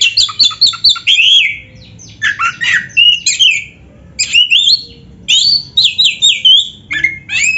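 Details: Oriental magpie-robin singing dense filler-rich song: repeated bursts of scratchy, jumpy whistles and squawks, each lasting about a second, with short gaps between.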